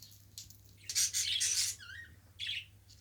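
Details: Indoor pet budgerigar chattering: a dense burst of scratchy, buzzy chirps, then a short rising whistle and a final squawk. A low hum sits underneath.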